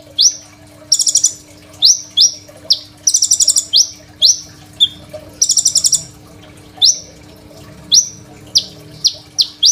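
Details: Crimson sunbird singing energetically, recorded by phone as a lure and master song: spaced sharp high chips alternating with dense buzzy rattling bursts, in a quiet background.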